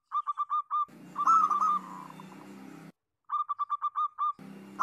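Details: Chorus of local zebra doves, played as a lure to set other doves singing. Quick runs of five or six bubbling coo notes, then a smoother drawn-out warble with low background hum, a brief silence, and another run of coos.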